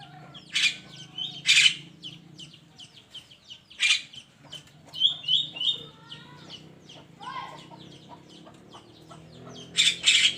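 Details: Javan myna in the morning, mixing loud grating squawks with quick whistled notes and low gurgles in a busy, uneven sequence over ten seconds.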